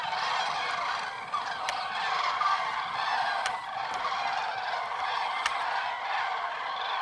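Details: Common cranes waking at a massive winter roost in Tablas de Daimiel National Park, Spain, on a frozen, fog-bound January dawn. Countless overlapping bugling calls merge into an unbroken, loud roar from the flock.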